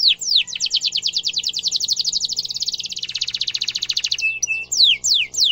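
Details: Canary singing a sharp roll for young canaries to imitate: long fast trill of repeated notes, then a flat whistle and a few loud descending sweeps.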